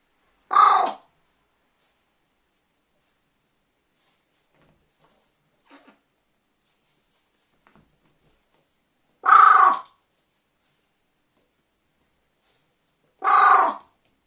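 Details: Captive carrion crow kept indoors in Japan, recorded on 12 January 2020: three loud harsh caws spaced several seconds apart, each short and broadband, with quiet gaps and faint small noises between.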